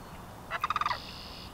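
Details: Male wild turkey gobbling during the spring breeding season, strutting and displaying but rebuffed by the females in his flock; a short rapid gobble of about six quick throaty pulses under a second long, frogs faint in the background.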